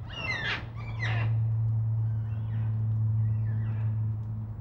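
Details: Black cockatoos at Nerrina, Victoria, 1999: two short, loud, harsh screeches open the recording, followed by faint distant calls under a strong steady low hum.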